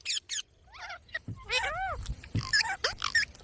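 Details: Rapid parrot chatter: short squeaks and clicks interleaved with arched, nasal calls that rise and fall, about three a second, irregular in rhythm, with faint low knocks beneath.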